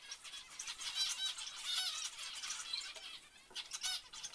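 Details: Zebra finches giving overlapping honking, nasal calls in a steady stream that thins out briefly near three and a half seconds.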